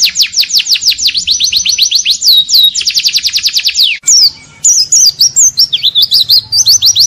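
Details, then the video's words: White-eye song with isian fill-ins for training songbirds: long series of fast descending whistled strokes, then varied twisting high notes after a brief break. "MASTERAN BURUNG PLECI ISIAN. NGALAS DENGAN TEMBAKAN MANTAB."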